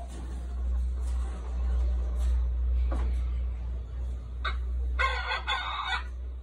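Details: A decoy red junglefowl gives one short, harsh, harmonic crow near the end, with a few faint clucks earlier, over a steady low engine-like hum.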